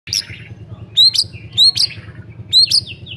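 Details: White-rumped shama song used as a lure to get silent shamas singing: loud, clear whistled notes with sharp upswept starts, given about every three-quarters of a second, over a steady low electrical hum.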